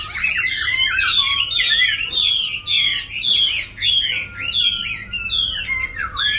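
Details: Loud, close black laughingthrush song from one of two caged birds in Hanoi, Vietnam, in the 'lai dai' style: fast continuous bright whistled loops, repeated roughly twice a second, with a thin sustained tone sliding beneath.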